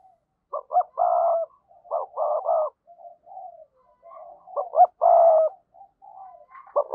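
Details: Decoy spotted dove calling to draw others: low, hollow cooing phrases in short bursts, a pair of quick notes followed by a longer held coo, repeated three times with soft quieter coos between.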